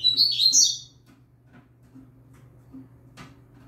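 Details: Young novice Double-collared seedeater singing firmly, used for training. A short burst of quick, high chirpy twittering notes in the first second, then near quiet with faint clicks and a low steady hum.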